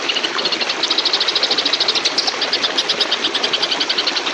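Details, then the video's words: Oriental magpie-robin in fighting mood: rapid, harsh churr of high buzzy notes repeated about seven times a second over a steady hiss of background noise. "MASTERAN KACER GEREJA TARUNG NGEBREM"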